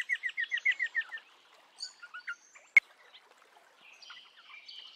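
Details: Eastern rosella uttering roughly nine quick, evenly spaced piping notes in one second, followed by a few isolated chirps, a sharp click and a faint twittering in the background.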